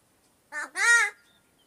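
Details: Talking pet crow producing a speech-like two-syllable utterance: a brief wavering first note, then a longer, strong, tonal second syllable with a slight fall, with near silence around it.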